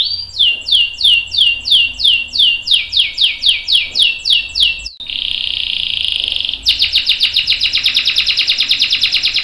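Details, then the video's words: Canary singing a long roll, used to train young and adult canaries: a row of repeated down-slurred notes, a sustained buzzy tone, then a fast dense rattling trill. "KENARI GACOR NGEROL PANJANG bagus buat pancingan dan masteran kenari paud dan dewasa"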